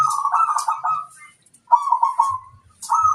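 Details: Zebra dove, a local bird, sings to lure wild doves into replying: two quick, throaty, trilled coo phrases of about a second each, a brief pause between them, and a third starting at the end.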